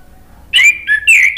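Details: Brief snatch of male orange-headed thrush song, offered as a lure to prompt stalled birds: three quick slurred whistles, each dipping in pitch, in just over a second.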